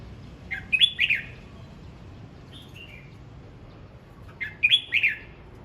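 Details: Red-whiskered bulbul practising its voice in morning song: two clusters of quick, bright, chirpy whistled notes with a softer falling phrase between them, over quiet background hum.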